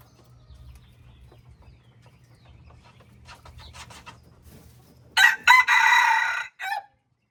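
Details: Red junglefowl, a mixed lot of junglefowl and rooster birds: after several seconds of low rumbling background, a loud harsh broadband crow breaks out in a few bursts, ending with a short final note.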